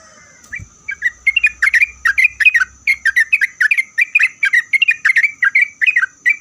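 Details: Sooty-headed bulbul song, used to trigger replies from other bulbuls. After a brief thump, rapid fluty, chattering whistles pour out almost without pause, with a steady faint high hiss throughout.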